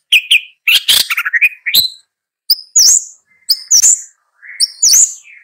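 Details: Long-tailed shrike song of mixed rough chatter and clearer whistles, including drawn-out level whistled notes and rising squeaky phrases with short pauses.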